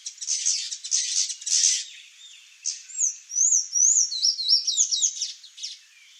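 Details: A Sayaca tanager (Thraupis sayaca) visiting a Brazilian backyard for fruit gives thin, squeaky, very high notes, quick slurred up-and-down squeals strung together rapidly, after a few harsh, scratchy bursts at the start.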